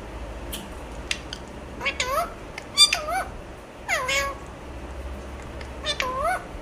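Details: Alexandrine parakeet talking: four bursts of wavering, speech-like syllables that bend up and down in pitch, with sharp clicks in between over a steady low hum.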